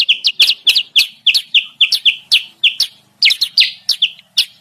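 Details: Insistent clipped chirps from a sooty-headed bulbul lure, used to attract wild birds, repeated roughly three or four per second, each note a quick high double chip, with a faint low hum beneath.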